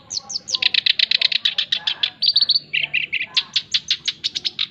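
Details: Male black-browed reed warbler, described as gacor (singing constantly), recorded as a masteran and lure for training other birds: fast, steady chattering runs of sharp high notes, with buzzy trills and a brief lower grating stretch midway, continuous throughout.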